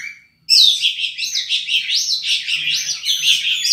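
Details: Oriental magpie-robin (kacer) in full, energetic song as a training recording for other songbirds: after a brief quiet start, a dense, continuous run of rapid, varied whistles and chirps, rising and falling, with sharp tweets throughout.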